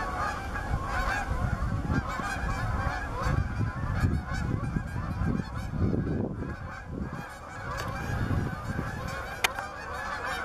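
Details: Canada geese at Bass Ponds, Minnesota, November 23, 2013, searching for open water; a large flock's overlapping honking swells and dips, with strong low rumble and a sharp click near the end.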